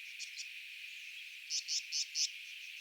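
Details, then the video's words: Tawny-flanked Prinia (Prinia subflava), a secretive small brown long-tailed bird, in Kruger National Park, gives four high, sharp, buzzy notes in quick even succession after two fainter ones, over a steady insect drone. "Tawny-flanked Prinia (Prinia subflava) Bird Call"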